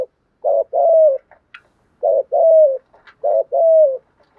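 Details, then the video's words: Lure spotted doves, male and female, cooing to stir up and attract other doves: three two-part phrases, a short low note then a longer falling coo, repeated about every one and a half seconds, with faint soft notes between. "chim cu gáy mồi thúc gù/ tiếng chim cu gáy giọng bài bản nhất/ giọng to và hay kêu rõ"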